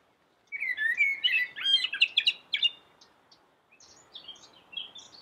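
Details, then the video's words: Vigorous, melodious singing from a common blackbird with its yellow beak: after a second of quiet, a rich run of fluted, sliding phrases, then soft, high, scratchy twitters trailing away. "suara merdu common black bird"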